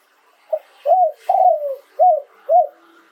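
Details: Spotted dove crowing live, delivering a "โยน 2 กุก" style phrase. A brief opening coo, a fuller arched coo and a long falling drawn-out coo are followed by two short, evenly spaced arched coos in a quiet room.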